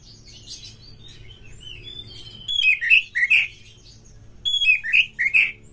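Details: Lure song of a caged kacer, the Oriental magpie-robin, meant to provoke birds in mating mood: soft high notes, then two phrases, each of three rich, slurred, dropping notes, over a low background hum.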